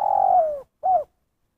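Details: Spotted dove of the 'kuk satu' call type: a drawn-out, gently falling soft coo, then after a short pause a brief rounded coo, clean and without background sound.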